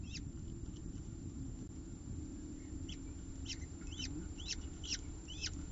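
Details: Peregrine falcon eyases at a nest ledge during a feeding, with the adult female tearing off small pieces of prey. Thin, high chirping calls repeat in short bursts over a steady low rumble of traffic.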